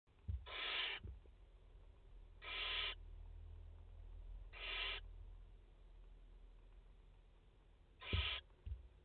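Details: Barn owl mother with four chicks at a nest in France, 30 August 2021: four short harsh hissing bursts, well spaced over nine seconds, with low thumps between them.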